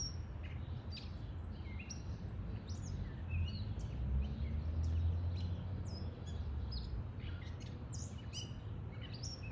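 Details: A male gray catbird sings on May Day after eating raisins, back in a backyard on his fifth year migrating home, probably singing for a mate: a rambling string of short squeaky, scratchy and whistled notes over a low rumble.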